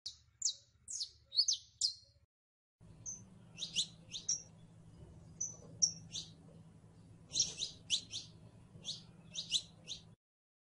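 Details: Saffron finch singing: short, high, sharp chipping notes in quick bursts, a brief pause after two seconds, then more clipped notes over a low steady hum.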